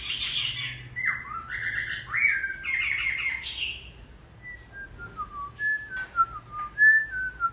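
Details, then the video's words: Chinese hwamei kept by a household, singing in the rain near the end of its moult: loud whistled phrases with slurred, sliding notes, then softer, scattered descending whistles. "Hoạ mi hót trời mưa vẫn là “ Cái Trác Tuyệt “"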